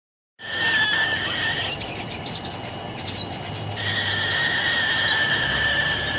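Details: Umbrella cockatoo making a weird, annoying noise: a loud, harsh, drawn-out screech with steady layered overtones, held almost unbroken for about six seconds after a brief silent start.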